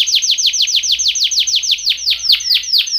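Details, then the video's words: Canary training song: a tight, fast series of bright falling whistles, about five per half second, that deepen and spread into wider swoops toward the end. "BEST canary singing / CANTO CANARIO CANTANDO FOR TRAINING / CANARY TRAINING SONG"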